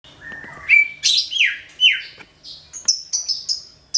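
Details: Greater green leafbird song used as a lure for all kinds of birds: loud varied phrases of whistled notes, falling swoops near the middle and sharp high bright chips toward the end, delivered in a rapid, irregular sequence.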